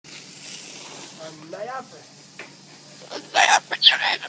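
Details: Hand-raised Sulphur-crested Cockatoo, scared of garden hose water, gives a short, wavering, speech-like phrase, then several harsh, raspy screeches and bursts; soft outdoor background hiss throughout.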